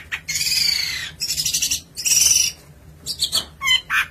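A Long-tailed shrike sings loud, harsh, scratchy bursts of chatter mixed with thin high whistles, in phrases about a second long with short pauses between.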